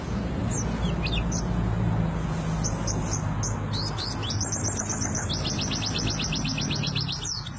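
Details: Dakun kelud white-eye rolling its song: scattered high sweeping chirps, then a long, rapid, evenly pulsed trill of about three seconds, all above a constant low humming background.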